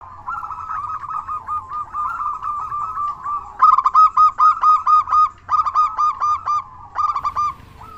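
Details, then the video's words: Local Indonesian zebra dove with a big voice, singing often, used as a lure to prompt other doves to sing: rapid stuttering coos in a steady mid-pitched run, then louder, clearly separated rhythmic notes in short bursts. "Perkutut Lokal Gacor Suara Besar Pancingan Burung Perkutut Agar Cepat Bunyi"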